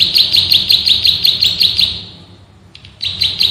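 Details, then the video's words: Bar-winged prinia male of rice fields giving a quick string of piercing high chirps, then a short pause before the rapid chirping picks up again, recorded for training cage birds. "MASTERAN BURUNG PRENJAK SAWAH GACOR, NGEBREN TEMBAKAN RAPAT SUPER ISTIMEWAH"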